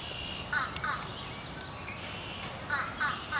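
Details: Fish Crow chick begging near its nest at Adamson Estate, Mississauga, Ontario, July 2018, part of the first successful Fish Crow nesting recorded in Canada; short nasal harmonic calls given in pairs, with a quieter gap between.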